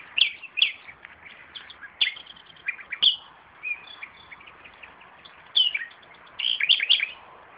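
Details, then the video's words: Common nightingale in song beside a tomato bed in a garden, delivering short, loud whistled and chirping phrases separated by brief gaps, with a denser run of notes toward the end. "Славей пее край домати - Nightingale singing araund of tomatoes"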